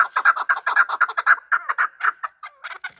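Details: Chukar partridges, kept for hunting, calling while fighting: a quick run of harsh chuck notes that slows and breaks into a few spaced, thinner notes at the end.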